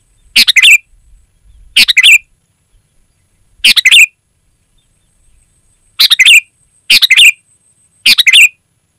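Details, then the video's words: Lively 'gacor' singing of a sooty-headed bulbul, used to call wild birds: six loud, clipped, chattering phrases, spaced irregularly about one to two seconds apart, with faint low rustling early on. "Suara Burung Kutilang Gacor"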